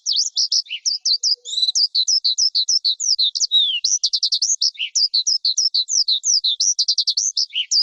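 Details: Energetic lark song mixing sharp high chirps, dense buzzy bursts and occasional lower dipping notes, delivered quickly and without pause.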